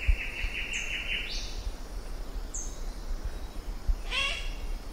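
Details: Western parotia, a bird-of-paradise endemic to New Guinea, gives a single harsh, rasping "shack" scold near the end, over the repeated thin twittering of a Phylloscopus leaf warbler and high tink notes of a Myzomela.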